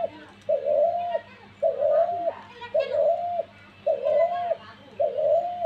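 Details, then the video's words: Five regular dove coos, each a level, mid-pitched note lasting under a second and repeated about every second, over faint voices and a low hum. "ঘুঘু পাখির ডাক দিয়েছে"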